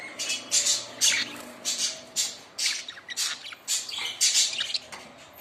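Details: Several budgerigars giving harsh, buzzy squawks in quick bursts, roughly two per second, loud and scratchy over a steady chattering background.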